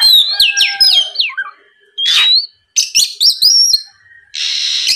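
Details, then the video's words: Oriental magpie-robin song played to provoke a rival: fast whistled notes and clicks, a buzzy rising whistle, more quick chips, ending in a sustained harsh hiss. "MEMANCING KACER LAWAN AGAR LEKAS BUNYI NYAUT & GACOR, SUARA PIKAT BURUNG KACER GACOR NGEPLONG"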